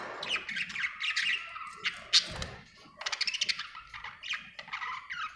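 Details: Budgerigar in a happy mood gives fast chattering chirps, sharp squeaks and harsh buzzy squawks in quick runs, with a soft low thump partway through.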